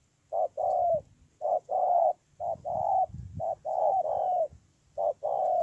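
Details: Spotted dove in Tu Mơ Rông, Kon Tum, Vietnam, on 10/1/2018, cooing steadily: repeated pairs of a short clipped note followed by a longer, even, hollow coo, about five pairs with soft low thuds underneath.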